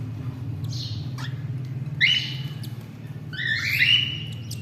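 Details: Cockatiel (Nymphicus hollandicus), begging call: chick begging while being fed by its father.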